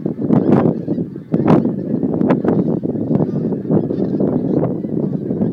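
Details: Geese flying out of Montrose Basin to feed, 12 January 2011, calling in a loud, close chorus of honks, with distinct nearer calls standing out in quick succession.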